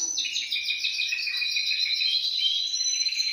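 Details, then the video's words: Canary song played to make other canaries sing, a quick chattering roll sliding into bright, sustained high trills with fast repeated pulses. "CANTO CANARIOS"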